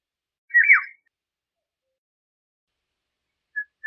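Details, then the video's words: A single rich, fluty oriole phrase with a falling glide, followed by a faint short note after a long pause. "Golden Oriole Song, Call, Chirp, Sound, Vocalization - Oropéndola Europea Canto - Oriolus Oriolus"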